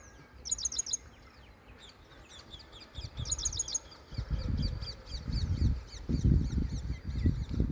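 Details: White-bellied sunbird foraging for food in a sorghum field; high thin chirping notes in short clustered runs, repeated through the clip, over low rustling and handling noise.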